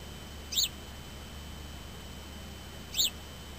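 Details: House sparrow perched on a car's door window, where it sits for hours tweeting; two short, sharp high chirps about two and a half seconds apart over a steady low hum and a faint constant tone.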